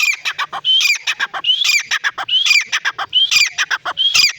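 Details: Male and female francolins fighting give harsh, loud, repeated grating calls, with rising squeaky whistles about once a second, in a busy overlapping chorus.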